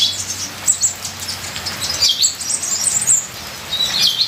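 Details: Ninja sunbird full-fill song, a training and lure recording mixed with rain: bursts of shrill high twittering and brief squeaky trills, loosely spaced, over a constant hiss of falling rain.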